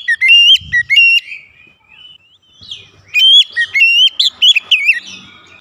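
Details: Aggressive oriental magpie-robin song meant to provoke another bird: a short volley of ringing, up-slurred whistles, a lull with a soft sweep, then a second longer volley of sharp twisting notes.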